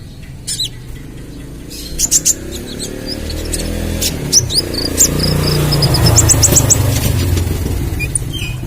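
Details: Ruby-cheeked sunbird in spotted 'trotol' plumage, a full song meant as a lure and tutor recording for other birds: sharp high chirps and short whistled flicks in scattered bursts, over a steady low rumble of background noise.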